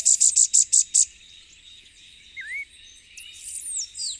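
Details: Elfin-woods warbler from Puerto Rico, where it is endemic, opens with six rapid, very high, sharp notes in one second. Quieter chirps, an upslurred whistle and distant high calls follow, with steady insect noise throughout.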